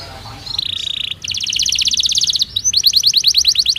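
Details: Belgian canary singing naturally for song training; a steady held tone, then a fast buzzy trill of rapid even notes, ending in a series of quick sharp downslurred notes, moderately loud.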